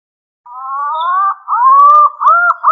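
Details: Green pigeon lure call: a long, smooth whistled note that wavers and climbs, broken into a few fluty, slightly quavering phrases, with no other sounds.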